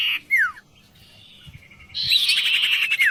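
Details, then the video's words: Vocal tutor oriental magpie-robin gives a rasp and a falling whistle, goes quiet for over a second, then delivers a long harsh buzzy burst ending in another descending whistle. "sirtu guru vokal yang mantap"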